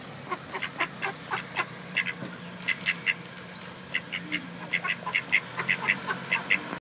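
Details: A female Mallard quacks ceaselessly while eating crackers, as the far quieter male stands by: a quick run of short, nasal quacks, several each second, some in doubled bursts, over a low steady hum.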